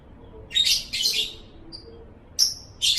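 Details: Lovebird recorded as a training model for pet birds, giving two quick raspy chirping bursts, a faint thin squeak, then a sharp high whistle and one more short chattering note.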